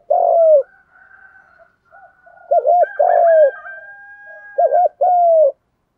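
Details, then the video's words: Coos of a spotted dove, used to stimulate doves to coo: mellow arched double notes and long falling coos, overlapped by a thinner, higher drawn-out tone from another bird in the middle. "Giọng chim cu gáy thúc gù bài bản, dùng để anh em mở lên luyện mồi và bổi gáy theo và kích cho gáy"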